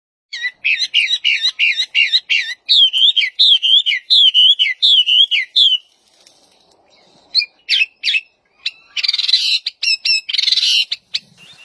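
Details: Wambi bird singing actively in the wild: a run of quick, repeated, wavering whistled phrases for about six seconds, a short pause, then sharp chirps and buzzy chatter.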